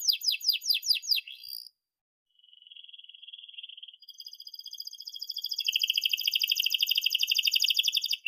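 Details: Canary song meant as a model for young canaries learning to sing: a few rising sweeps, a brief pause, then a long, even, buzzy trill that grows louder and rolls on steadily.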